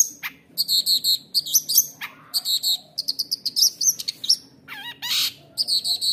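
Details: Long-tailed shrike with a fighter's temperament, taken from the forest as a youngster, pours out rapid, high, stuttering chirp series and a few slurred whistles. Its 'roll tembak' song is used to provoke other shrikes into aggression.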